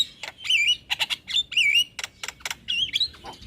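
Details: Javan myna in rapid song, meant as a prompt for a silent bird. Wavy whistled phrases alternate with short harsh chatters in quick succession.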